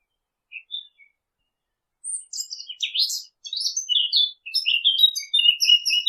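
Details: Birds chirping: two or three isolated high peeps, a short pause, then a thick burst of overlapping, sharp, rapid twitters and clipped whistles that keeps going to the end.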